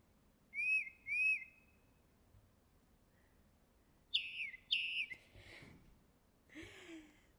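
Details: A tufted titmouse (Baeolophus bicolor) sings its spring-and-summer 'peter' song: clear, high, whistled two-note phrases given in quick pairs twice, followed by a few softer, rougher notes.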